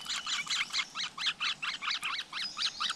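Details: A flowerpecker nest with a brood of chicks out in nature. Thin, high chittering notes, each a double-stacked chevron, repeat quickly and fairly evenly about twice a second over a soft hiss.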